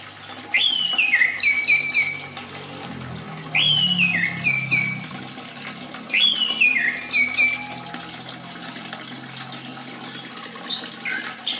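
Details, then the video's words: Orange-headed thrush singing, meant as therapy for silent or moulting birds: a loud whistled phrase that leaps high then tumbles down in quick stepped notes, repeated about every three seconds, with faint low rumble behind. "terapi burung anis merah macet"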